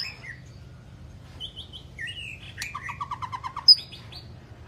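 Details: White-rumped shama long song for training other shamas to sing: scattered sweet whistles, then a rapid rattling series of short repeated notes and a sharp high note near the end.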